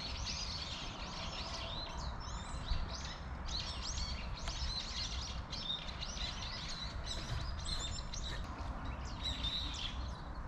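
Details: A flock of chubby tree sparrows in a persimmon tree keeps up busy overlapping chirps, short curved notes tumbling one after another for ten seconds above low background hum.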